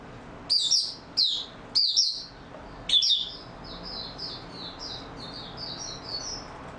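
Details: Caged Oriental white-eye in stable singing form, 28 February 2022; four loud, high chirping bursts about a second apart, followed by a long, soft series of thin, rising warbled notes.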